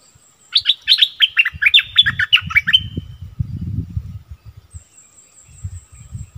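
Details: Streak-eared bulbul kept as a decoy bird, recorded 16 February 2021: a fast phrase of about a dozen sharp, loud, downslurred chirps over two seconds, followed by low thumping and rustling noises.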